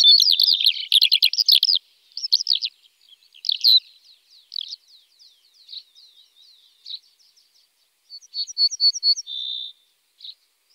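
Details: Common starling song opening with loud harsh rattling chatter, fading into soft scattered clicks and squeaks, then a short series of repeated notes and a flat buzzy whistle.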